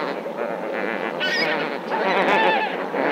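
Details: Lesser flamingos in a dense flock at Marievale: a continuous goose-like murmur of overlapping nasal honks and gabbling notes with no pause.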